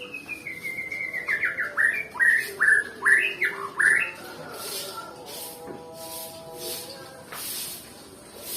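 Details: Nias white-rumped shama, said to be lazy about singing, delivers a loud descending series of sharp chipping whistles in about three seconds, then falls quiet while soft background noise and faint distant sounds continue.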